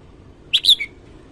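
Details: Red-whiskered bulbul morning song: a crisp three-note whistled phrase, rising then falling, delivered in under half a second against low background hiss.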